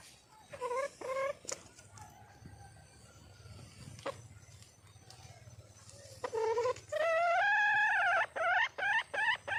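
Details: A red junglefowl hen calls for a mate with a few rising notes early, then a loud, fast, rhythmic series of upswept, nasal cries toward the end.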